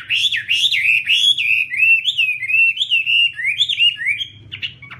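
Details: Chinese hwamei singing: loud, clear whistled phrases sliding up and down in quick loops, notes running together almost without pause, fading into a few softer scratchy notes at the end; faint low hum beneath.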